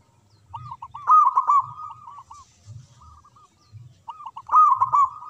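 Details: Local zebra dove singing on its perch in captivity. Two loud phrases of rapid bubbling, rolled coos are separated by quieter short coo series, each ending in drawn-out looping notes.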